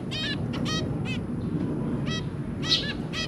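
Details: A zebra finch pair with three babies, January 2022. Short stacked nasal toots come in small clusters, a few per second, with brief pauses between and quiet room noise behind.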